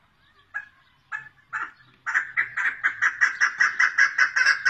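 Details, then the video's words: Female chukar partridge: a few widely spaced hoarse chucks, then a sudden switch to a loud, fast, regular series of rasping clucks, accelerating slightly. "İnce keklik sesi dişi"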